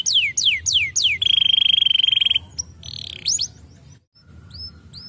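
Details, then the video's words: Canary song aimed at stimulating other birds: four loud falling whistles, then a fast, even, buzzy trill, followed by scattered upslurred notes, a brief silence and faint chirps. "Quick to stimulate the sound of the canary material"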